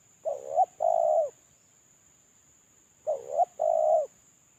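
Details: Spotted dove lure call from a moulting bird: two cooing phrases about three seconds apart, each a short rough coo followed by a longer, steady, mellow coo, with a faint constant high whine behind.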